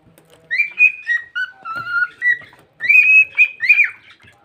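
A pet parrot chatters in quick bursts of whistled, speech-like syllables with short pauses between them.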